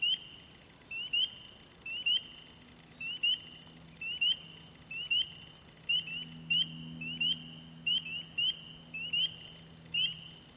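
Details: Wood ducks courting on 14 April: short rising squealed whistles, each sliding upward, repeated in quick pairs and singles about every half second, with a faint low hum underneath.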